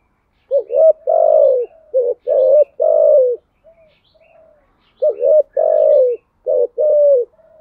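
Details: Spotted dove cooing in the THÚC GÙ song style: paired phrases of a short rising hook then a long falling coo, low and mellow, repeated in bursts with short pauses, a faint soft coo between.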